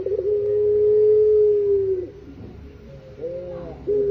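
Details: Eurasian collared dove, locally called pelung puter, giving a long level low coo lasting about two seconds, followed by a brief pause and short clipped notes.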